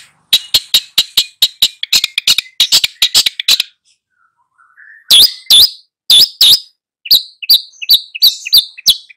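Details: Long-tailed shrike singing at full strength to teach two young birds: rapid ticking chirps for several seconds, a brief pause, then loud downslurred whistles and mixed chattering notes.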